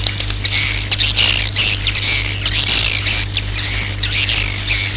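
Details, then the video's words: Roosting swiftlet call used to draw swiftlets to roost: dense, high, shrill twittering chirps in overlapping bursts, with a steady low electrical hum beneath. "Suara Walet Inap"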